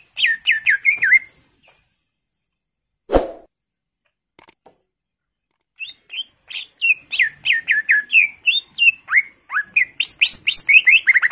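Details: Greater green leafbird, gacor full isian, a lively varied song: rapid runs of whistled notes sweeping down from about 4k, slurred phrases and chattering trills, paused by a short gap with a single sharp click.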